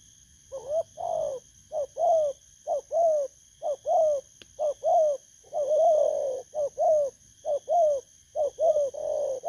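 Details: Spotted dove, a wild-caught bird, giving the 'bầu' style coo used as a lure recording, dated 19 August 2024; many short mellow coos, rising then falling, in quick pairs and runs, with faint steady high background tones.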